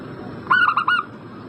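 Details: Zebra dove giving one short, quick phrase of four clipped, mellow coos lasting about half a second over light hiss, used as a lure to prompt a bird in breeding condition to answer.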